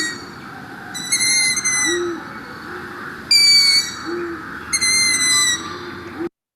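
Long-eared Owl giving three high, thin, nasal squeaks about every one and a half seconds, with soft low hoots underneath.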